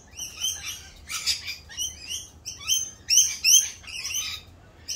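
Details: Rainbow lorikeets in mating season, extra raucous during their mating dance; rapid high shrieks in irregular clusters, about three a second, rising to louder double screeches later on.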